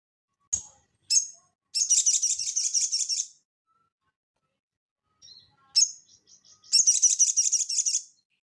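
Crested jay: sharp high chirps, then two dry, fast rattling trills of about a second and a half each, very high-pitched. No other sounds.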